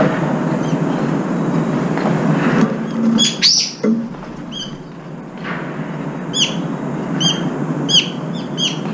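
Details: Several brown-eared bulbuls squabbling at a feeder over food: high sharp chips repeated in quick bursts, loud harsh note mid-way, over heavy steady background noise.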